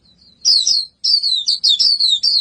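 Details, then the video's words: Lively white-eye song in high, rapid chattering warbles, one phrase, a short gap, then a near-continuous run of twittering notes. "Burung Pleci Gacorr"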